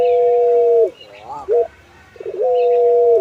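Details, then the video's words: Puter pelung, a dove breed kept for its long melodious voice: a sustained level hoot, a wavering rising coo and a short note, then another long steady hoot. "Keunikan Burung Puter Pelung – Suara Merdu & Karakter yang Istimewa"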